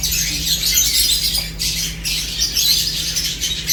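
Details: Lovebirds eating produce constant shrill chattering. Scratchy, high squawks overlap with barely a break, and a low electrical hum runs throughout.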